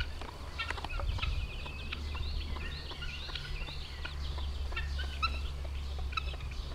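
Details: Week-old chicks following their mother hen, a steady scatter of short high peeps and chirps throughout, over a constant low rumbling background hum.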